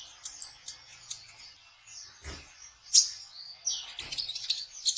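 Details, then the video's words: High-pitched trotol twittering of a kolibri ninja sunbird, used as a trapping lure, broken by two low knocks or handling thumps before a lively run of sharp chirps. "Suara Burung Kolibri Ninja Trotol untuk Memikat Konin dengan Cepat"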